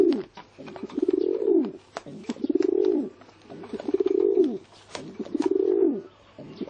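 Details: Pigeon producing a steady run of five low, vibrating coos, each rising then falling, spaced about every one and a half seconds, with soft clicks and a faint hum.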